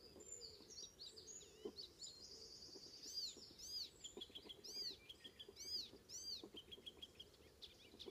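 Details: Icterine warbler, Ameland north of Hollum, Netherlands, morning of 19 May 2016: loud varied song of arched high whistles, buzzy trills and harsh notes, rich mimicking quality, strongest in the middle phrases.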